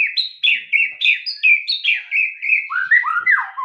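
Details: White-rumped shama delivering a steady string of short whistled notes at a regular pace, some ringing and level, others dipping, ending with lower slurred whistles.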